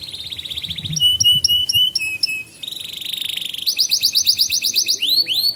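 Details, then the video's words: Canary song as a teaching lure for young canaries: a fast trill, a series of crisp repeated chirps about four per second, another buzzy trill, then quick rising whistled notes. "Kenari GACOR Masteran Burung Kenari PAUD Belajar Bunyi dan Pancingan Kenari Macet"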